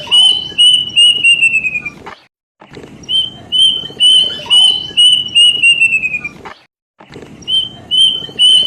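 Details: Lure sound of a plaintive cuckoo, played to get birds singing vigorously. Bright, piercing whistles come in rapid strings, each string drooping lower at its close, then cut off by sudden silences before repeating, with soft extra chirps.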